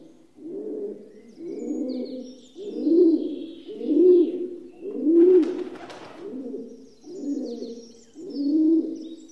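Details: Rock dove cooing steadily, eight low, rounded, throaty coos roughly one per second, with a brief sharp clatter midway and faint thin chirps of small birds behind.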